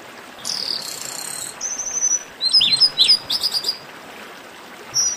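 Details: Chestnut-capped blackbird singing a buzzy high note, a short rapid trill, then several bright slurred whistles and a clustered chirp run, with a soft hiss underneath.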